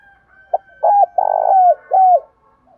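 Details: Spotted dove calls, male and female, used by keepers to train new decoy birds: a short coo, then drawn-out cooing notes, a long buzzy coo falling at its end, and a final falling coo, all low and clean.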